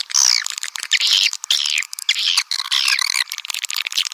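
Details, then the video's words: Swiftlets' calling sound, played to draw swiftlets in: loud bursts of shrill, squeaky twittering with downward-sweeping chirps, separated by short silences about every half second. "Panggil burung walet suara panggil"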